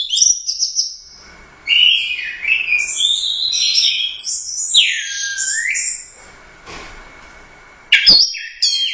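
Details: Champion competition orange-headed thrush from the Royal Cup in gacor teler doyong style. Varied high song of swooping whistles, buzzy chatter and sweeping slurred notes, then a gap before a burst of sharp notes. A faint steady tone runs underneath.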